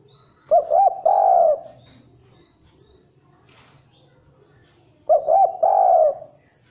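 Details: Spotted dove lure song, fairly quick but not very chatty: two identical phrases about four and a half seconds apart, each with two short looping coos and a longer sustained mellow note, quiet between.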